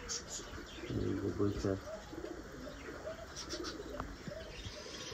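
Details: A Kokka domestic pigeon gives a low, throaty coo, with a man talking nearby.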